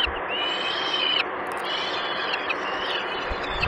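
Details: Nestling peregrine falcons in the Barycz Valley, Poland, begging during a long feeding on 6 May 2021: long, level, thin whistled whines, each lasting about a second, with short breaks between them, over constant broadband hiss.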